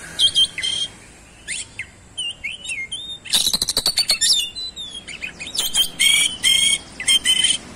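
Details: Oriental magpie-robin in 'gacor' singing with fast 'roll speed' phrasing and 'isian' imitations: sweet whistles, a dense buzzing trill burst midway, then loud ringing notes repeated in quick succession.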